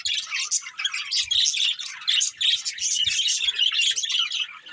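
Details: Budgerigars keep up dense, high-pitched chirping and warbling chatter, rapid uneven notes with a few short gaps and faint low taps.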